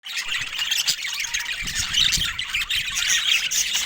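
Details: Pet budgerigars, a bird kept and bred in many colour mutations, fill the air with dense, continuous chattering and squawking, many high scratchy notes overlapping with brief whistled squeaks and some low rumble underneath.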